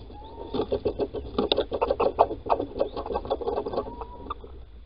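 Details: Little owls at Holten, 16 March 2020, 10:25, male calling while the female digs a nest scrape. A fast, dense chatter of soft clucking notes, about three per second, runs between two faint, thin, rising whistles.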